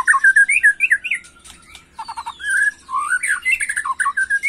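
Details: Excited white-rumped shama song in macul style, played to rile young birds: rapid slurred whistles and harsh squawky chatter, a thin descending whistle midway, then fast looping phrases.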